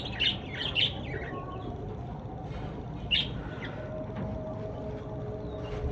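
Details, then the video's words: Lovebirds sing in a calm natural setting: sharp, high chirps in short bursts, a few in the first second and another near three seconds, over a steady low rumble of background noise. "Love Birds Singing"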